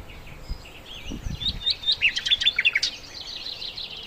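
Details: Sikatan londo, the Verditer flycatcher, in full song for songbird tutoring: wavering whistled notes building into a rapid string of sharp chirps and short trills, with faint low rumbles underneath.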